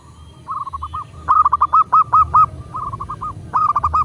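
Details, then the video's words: Zebra dove of the local type, sung as a master to spur captive doves: near-continuous runs of quick coos, loud phrases alternating with softer ones as a second bird overlaps, above a faint low rumble. "Perkutut lokal gacor pancingan agar burung perkutut cepat GACOR dan BUNYI"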